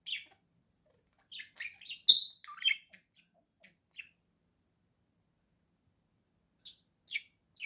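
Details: Chattering pet budgerigar: a quick series of sharp chirps and rasping warbles, one loud squeaky note, then silence before a few scattered chirps at the end.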